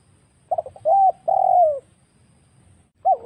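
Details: Lure recording of a wild spotted dove: a stuttered opening, a mellow coo and a long falling croon, followed after a short gap by the start of the next phrase. Only faint low hum sits behind it.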